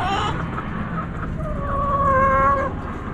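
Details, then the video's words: Backyard chickens, hens clucking and roosters crowing; a drawn-out, wavering harmonic call rises and holds for about a second and a half over steady low engine-like rumble. "Backyard Chickens Fun Relaxing Video Sounds Noises ASMR Hens Clucking Roosters Crowing!"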